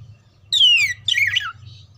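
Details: Oriental magpie-robin singing, used to train birds before song contests: one clear whistle gliding steadily downward, then a rapid scratchy, warbling jumble, both loud against a soft low hum.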